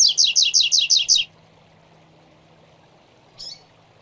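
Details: Double-collared seedeater tutor song, used to teach young birds to sing: a quick run of seven bright, buzzy notes in just over a second, then one faint note, over a low steady hum.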